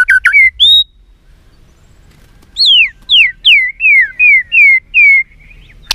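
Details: White-rumped shama in fighting song: a few quick whistled notes, a silent gap, then a series of six or seven loud, clear whistles, each sliding downward, spaced under half a second apart.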